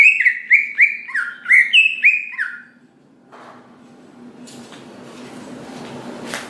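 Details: Greater green leafbird singing to goad other leafbirds into song: a string of about seven quick downslurred whistles, followed by quiet background hiss and faint clicks.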